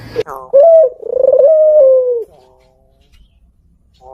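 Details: Barbary dove, the kept Indonesian puter with a black neck collar, giving its "kuk geruk kwaakk" call: a clipped opening note, then a throbbing, slightly rising coo that levels out and fades after about two seconds, followed by quiet.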